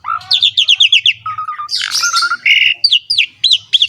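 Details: Asian pied starling in lively filled-in song: a quick run of rising chirps, a low whistled trill, a harsh burst, then loud downslurred whistles repeated at short gaps, with a faint low hum underneath.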